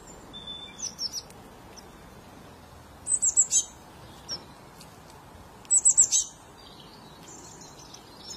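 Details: Common kingfisher hunting fish, giving two quick bursts of three or four shrill, very high, thin piping whistles a few seconds apart, with a few fainter high notes near the start over a quiet outdoor background.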